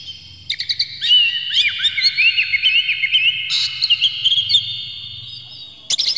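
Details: Oriental magpie-robin song used as a lure to provoke other magpie-robins into agitated singing: clear, harsh material. Rapid run of slurred whistles and trills, continuous for about four seconds, ending in a sharp burst, over a faint low hum.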